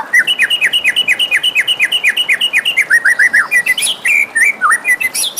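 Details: White-rumped shama singing in the morning: a fast run of repeated downslurred whistled notes, about two per second, shifting into varied chirps and rising whistles near the end.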